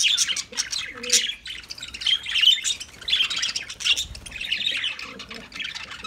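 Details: Lovebirds twitter and chirp constantly in high, scratchy bursts, with a few faint low coos early on.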